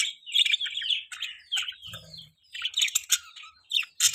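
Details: Budgerigar chirping loudly, a busy run of short warbled and buzzy notes between two and eight kilohertz, broken by brief pauses, with a faint low thump near the middle.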